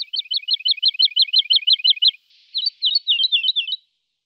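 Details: Singing lark delivering a quick string of repeated sharp chirps, about five per second, then a hoarser, more varied twittering trill; background otherwise silent.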